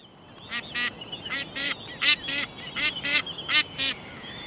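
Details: A Black-footed albatross on Midway in 2010 brays to its chick: harsh, nasal, honking bursts, often in pairs, about ten in four seconds over a soft background hiss.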